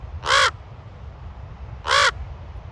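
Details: Two loud, harsh, throaty caws about one and a half seconds apart from a raven at Ocean Beach, San Francisco, with faint low surf rumble between.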